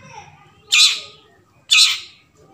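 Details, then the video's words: Long-tailed shrike sounds recorded in the forest, used as a lure to get silent shrikes singing: two loud, harsh rasping calls about a second apart, with faint background noise between them. "suara hutan burung cendet Cocok buat pancingan cendet macet bunyi"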